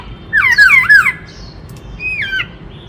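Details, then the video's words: Black-throated laughingthrush giving a short burst of tangled, loud descending whistles, a pause, then one softer falling whistled phrase. "Tiếng Chim Khướu Rừng Hót Đảo Nhiều Giọng Hay Kích Bổi - Khướu bạc má hót"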